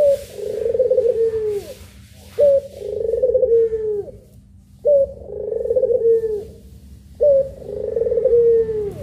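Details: Puter pelung dove, two birds, recorded as a training master: a short bright note, then a long buzzy coo that slides gently downward, repeated about every two and a half seconds, four phrases in all, with a steady low hum behind.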